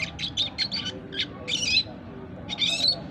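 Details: A four-month-old red siskin practises its song in high, thin twittering bursts, scratchy notes run together in quick phrases with short pauses between.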